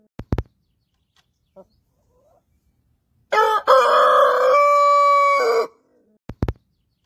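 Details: A huge Brahma rooster crows in the morning: one full crow about two seconds long, with a harsh start and a drawn-out final note; sharp clicks before and after.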